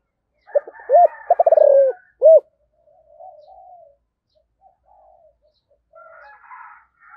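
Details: Calling spotted dove of the 'giọng thổ' voice type: a few quick hiccup-like notes, a rapid rolled series, then one full rounded coo. Low muted cooing trails off afterwards.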